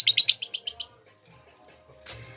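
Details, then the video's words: A pet pastel-yellow lovebird, said to chatter only at night when kept up late, gives a fast burst of seven shrill, harsh chirps at about eight per second, then quiet and a short rustle. "Love bird gacor"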